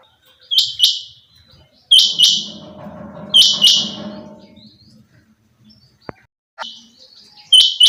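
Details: Female quail, locally chinga batair, uttering sharp paired high notes at intervals, with a soft low rumbling chatter in the background between calls.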